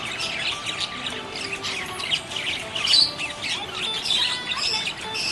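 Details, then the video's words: Budgerigar in a happy mood, chirping with dense scratchy warbling and occasional sharper squawk-like notes, a continuous high chatter over a low steady background. "Happy budgie chirping sound"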